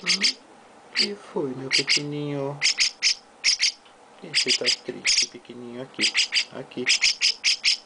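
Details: A young mukudori, the Chestnut-cheeked starling, with its owner, calling in sharp, high paired chirps repeated in clusters, interleaved with lower, drawn-out buzzy tones and quiet talking nearby.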